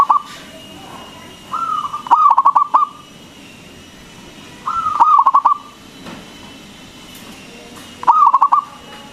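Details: Loud-voiced local zebra dove (perkutut), whose song serves as a lure to stimulate other doves. Repeated phrases, each a sustained coo breaking into four or five clipped, rolling notes, with pauses of a few seconds.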